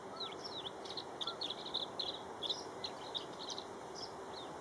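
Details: A male Tree Swallow guarding and preening on a nest box while the female is probably away feeding sings quick, liquid, slightly gurgling twitters over soft hiss; Jamaica Bay Wildlife Refuge, New York City, afternoon of 29 May 2010.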